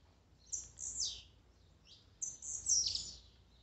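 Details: Blue-black grassquit song used to rouse a kept bird: quick high buzzy phrases falling steeply in pitch, two clusters about two seconds apart, the second louder and fuller, over quiet low hum.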